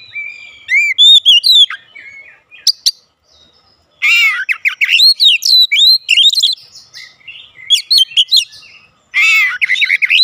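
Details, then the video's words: Oriental magpie-robin song used to provoke a response from other birds at home: loud varied whistles and sweeping notes mixed with harsh buzzy bursts, delivered in rapid phrases separated by short pauses. "AUTO RESPON NGEPLONG GACOR KACER ANDA DIRUMAH"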